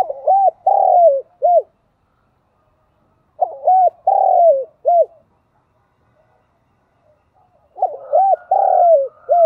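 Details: Spotted dove decoy in 'gáy gọi' calling style, meant to attract wild birds: three repeated coo phrases about three and a half seconds apart, each with clipped hooked notes around a longer drawn-out descending coo.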